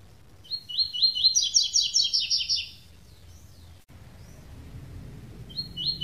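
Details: A double-collared seedeater sings the classic tui-tui song without the third note: a quick, high, buzzy phrase of rapid chattering notes lasting about two seconds, then a short pause and a brief sharp note.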